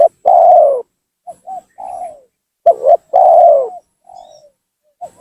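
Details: Spotted dove calling loudly as a trapping lure to goad rival doves down: long full coos alternating with faint short notes and a soft trailing coo, all in a low mellow register.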